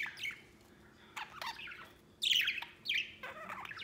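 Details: White pet budgerigar out of its cage at play: a few short, separate chirps and squeaky notes with pauses between them, two louder bursts near the end, over a quiet room hum.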